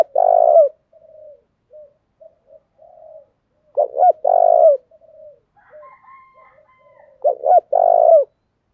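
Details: Spotted dove giving 'thúc' coos that spur other doves to call: three phrases roughly every four seconds, each a pair of brief notes followed by a long vibrating coo, faint soft notes in the gaps.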